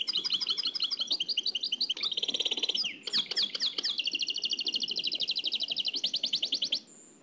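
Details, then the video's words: Nightingale song in the Oued El Alleug style, taken from an old cassette recording: fast rattling trills, then a dense buzzy run of repeated notes and a thin high whistle at the end. "تغريد واد العلايق نقلته عن كاسيت قديم بصحتكم خاوتي معمر روسينيول"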